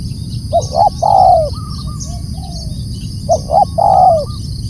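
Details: Spotted dove loud call repeated twice, each phrase two short coos then an extended falling coo, with faint quieter coos between phrases and a steady low background rumble.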